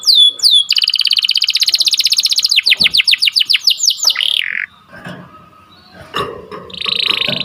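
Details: Song of an Atlantic canary, used to train birds and prompt breeding canaries to sing: looping high notes, then a long rapid roll and falling sweeps, a slurred buzzy phrase, a quiet gap, and a high trill resuming.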